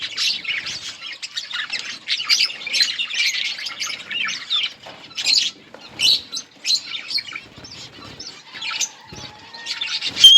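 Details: Breeding-colony budgerigars twitter in scattered short bursts of high chirps and scratchy warbles, with a soft long whistled note underneath toward the end.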